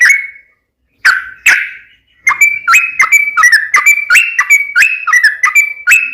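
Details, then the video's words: Fighting-style song of the sooty-headed bulbul: a couple of isolated whistles, then a fast rapid string of bright, slightly rising whistled notes repeated several times per second. "KICAU SUARA trucukan gacor TARUNG UPLIK ROPEL TAJAM AMPUH JADIKAN burung trucuk gacor NYAUT SEKETIKA"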